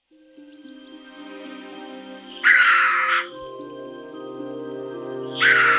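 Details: A Sri Lanka frogmouth in dense Sahyadri (Western Ghats) forest, Maharashtra, calling as darkness falls in the evening, gives two harsh, grating bursts about three seconds apart, over steady background music and rapid, regular cricket-like pulsing.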